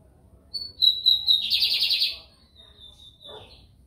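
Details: Lined seedeater, called bigodinho americano, recorded in São Luís, Maranhão, Brazil: a few piercing whistles lead into a loud buzzing trill, followed by a long steady whistled tone that dips at the end; low rumble behind.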